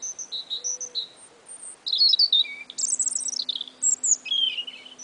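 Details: Two little spring songbirds singing together. High double chirps give way to a loud, rich, warbling phrase with sweeping slurred notes and trills. A low steady hum is faintly present.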